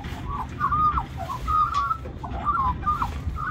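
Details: Magpie begging with song for mango at lunchtime, Cirillo Reserve, Middleton Grange, New South Wales, Australia. Clear, drawn-out whistled phrases, some sliding down, repeated about once a second against a low hum.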